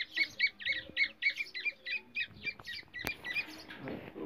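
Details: Calls of black francolin in India, the kind played to lure francolins into traps: quick repeated harsh chirps, nearly four a second, each note brief and dropping slightly, with a sharp click midway.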